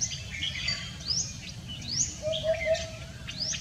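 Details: On a foggy Sunday morning, 31 January 2021, a common hoopoe gives one low hollow three-note hoot midway, surrounded by bright rising whistles and chirps of other birds over constant low background noise.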